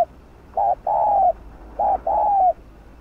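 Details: Two loud double coos from a spotted dove in 'gù' (bo) style, used to rouse captive birds: each a short low hoot followed by a longer, slightly falling one.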